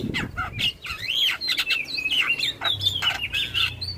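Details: Javan myna song used to bring a response from other starlings: a varied medley of sweeping whistles and buzzy, rasping notes in quick succession, over a faint low hum.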